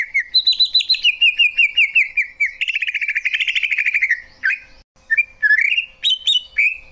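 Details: Song of a Greater green leafbird: a fast rattling series of chips that speeds into a buzzy trill, then scattered rising and falling whistles after a short gap.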